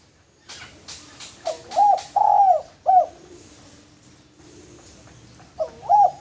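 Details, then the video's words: Male spotted dove kept as a lure bird, giving soft mid-pitched arched coos: a few faint clicky notes first, then three quick coos, a pause, and a final paired coo, indoors with quiet background. "Derkuku Tekukur Jantan Cocok Buat Pancingan"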